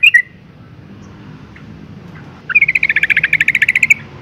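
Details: Female yellow-vented bulbul call meant to stir males into song. A single short chirp opens the clip, then a quiet gap, then a fast stuttering chatter of about fifteen bright clipped notes over a faint low rumble.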